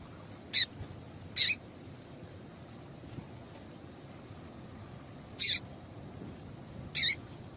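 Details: Calls of a female papa-capim seedeater, played to get males singing: four sharp high chips in two loose pairs, with a long pause between the pairs and faint noise behind.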